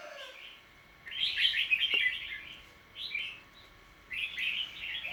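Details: Household bird recorded 10 December 2020, giving short bursts of bright chattering chirps separated by brief pauses, over a steady low background hum.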